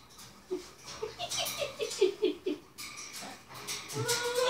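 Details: Two pet macaws cackle while playing with their owners and tea towels. A rhythmic run of about ten short, hoarse, evenly spaced notes is followed by rustling cloth and a rising voice.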